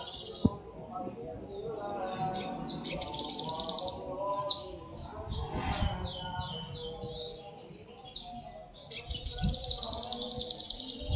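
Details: Little spiderhunter (sogok ontong) singing energetically: very high, sharp chirped notes in quick series, with bursts of fast, dense, buzzy trills near the start and again at the end, over a faint low murmur in the background.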